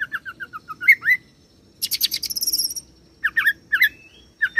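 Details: Oriental magpie-robin, a kept songbird, singing a rolling song that mixes in imitations of cililin and serindit: a run of short whistled notes, then a dense high buzzy burst, then rising slurred whistles in separated pairs.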